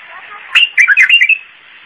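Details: Iraqi bulbul singing in the zamli song style: one short, bubbly warbled phrase of about five quick liquid notes, mid-pitched and slightly rising, over a faint steady hiss.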